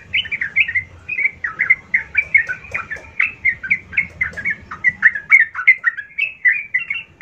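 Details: Yellow-vented bulbul singing a lure intended to provoke a rival bulbul: a continuous run of quick, varied chirping and warbled notes at a steady pace, over a low background hum.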